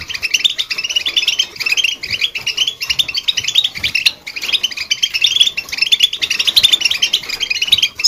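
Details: Goldfinch chirping: dense, rapid high twittering notes run almost without pause, overlapping in quick bright bursts throughout, with faint background hiss.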